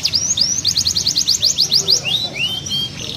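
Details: Green AF canary song with rich patterns: a quick series of sharp high chirps repeated about three per second, ending in a few longer rising whistled slurs over soft low background noise.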